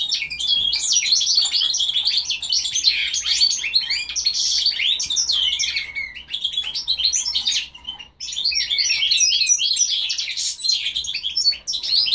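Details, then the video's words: Goldfinch × linnet hybrid singing a continuous, fast, twittering song of bright chirps and trills, with brief pauses around six and eight seconds before the jumbled twitter resumes. "carduelis carduelis x carduelis cannabina"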